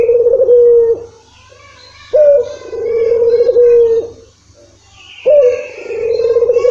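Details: Barbary dove coos, called puter, played to coax a dove that seldom calls: three long level coos, each opening with a brief upward lift, spaced about three seconds apart, recorded indoors.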